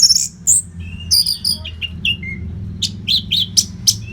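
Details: Anis merah, orange-headed thrush, giving continuous training song for fighter birds. Varied short whistles and slurred notes run at an uneven pace, ending in a run of sharp, emphatic high chips.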